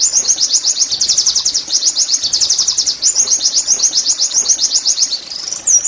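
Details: Continuous 'nembak' song from an Oriental white-eye, meant to get caged birds singing often: nearly six seconds of piercing, quick-fire twittering notes at an even pace, with a short slurred whistle at the close.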